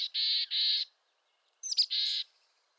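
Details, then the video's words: Two bursts of harsh, buzzy notes from a mountain chickadee of western North America: a pair of grating dees, a pause, then sharp high chips leading into another buzzy dee. "Mountain Chickadee Bird Song"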